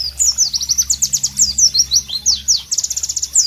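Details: White-eye, locally called Pleci in Southeast Asia, singing loudly in natural tropical ambience: a fast, sharp, melodious stream of high chirps and downslurred whistles, notes tumbling over each other almost continuously with no pauses.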